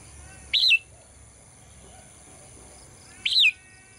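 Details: Morning singing of a caged female bird: two arched, bright chirps that rise then fall, spaced nearly three seconds apart, in quiet surroundings.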